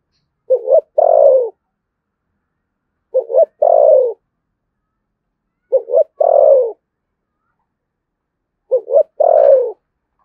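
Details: Spotted dove of the deep thunder-voiced style from Dong Nai, Vietnam, gives four identical phrases about every two and a half seconds. Each phrase is two short notes and then a long descending coo.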